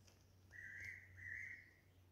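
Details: A Fairy pitta calls mournfully from a pine tree on Nojasan at about 147 m elevation, a clear two-note whistle, the second note slightly higher and longer, over a faint low hum.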